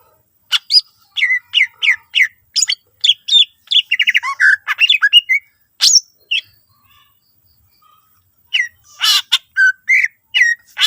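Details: Lively greater green leafbird song, full of varied phrases and meant to coax other leafbirds to sing. It runs as a steady string of short chirped and whistled notes, then a rapid trill, a lull, and harsh high bursts.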